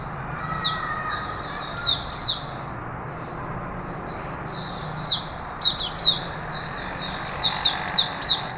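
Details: Caged Straw-headed bulbul in Singapore, recorded 11 September 2020, singing in a relaxed way to make its presence known; bursts of loud, bubbling whistled notes with downward slurs, in clusters separated by pauses, with faint low background hum.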